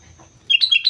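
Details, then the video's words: A sooty-headed bulbul sings energetically on Mount Slamet, a quick run of three or four loud, bubbly whistled notes dipping and rising. "suara burung kutilang gacor gunung slamet"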